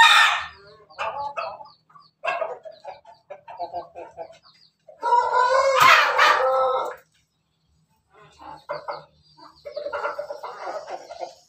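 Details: Laughing-style crow of a kept Pelung Bangkok rooster, 17 May 2024. Choppy, repeated cackling notes build into one sustained loud crow lasting about two seconds, followed by more broken, stuttering syllables.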